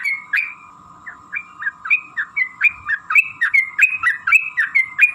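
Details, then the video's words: Sooty-headed bulbul lure song to make other bulbuls sing: a few spaced fluty notes that quicken into a lively, regular run of upslurred and downslurred whistles, with a steady low hum behind. "trucukan gacor TARUNG ROPEL PANJANG pancingan trucukan agar bunyi"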